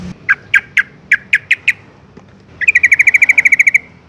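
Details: Yellow-vented bulbul (Pycnonotus goiavier) contact call, calling companions: seven bright, chirpy notes, then a fast run of about fifteen rapid bubbling chirps, fairly high-pitched and clear against a quiet background.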